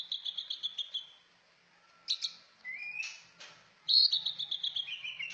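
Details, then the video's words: Cucak ijo song with a fast string of high chirps, a pause, then rising whistles and sharp notes before a long, bright, stuttering phrase that falls gradually in pitch. "Merdunya burung trucak ijo"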